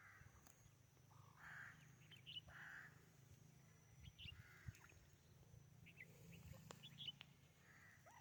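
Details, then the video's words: Harsh, raspy white francolin calls given in short separated bursts, with faint chirps of other birds and a steady low rumble underneath. "White francolin voice"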